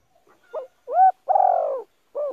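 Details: Female spotted dove calling, a sound used to excite decoy males and train young birds. A single clear phrase: faint intro, a rising looped coo, a long burry falling coo, and the start of a final curved note.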